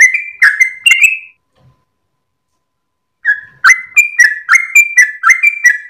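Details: Sooty-headed bulbul at dawn in gacor ropel style for training cage birds: a short burst of whistled notes, a pause of about two seconds, then a quick run of repeated whistles resumes.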